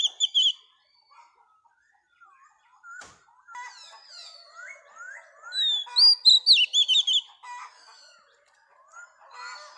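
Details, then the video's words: Female Oriental magpie-robin, caught from the wild, singing to excite males: sparse quiet warbles and slurred notes, building to a short loud series of high, sharply modulated whistles, then fading to soft chatter. "Choè than mái bổi lên giọng hót kích trống"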